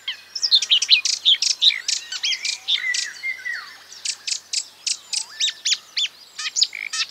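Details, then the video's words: Marsh warbler singing a fast, varied song of borrowed phrases imitating other birds: sharp high chips, buzzy notes and slurred whistles tumbling about three per second, with sweeping falling whistles midway. "A marsh warbler (Acrocephalus palustris) imitating other birds"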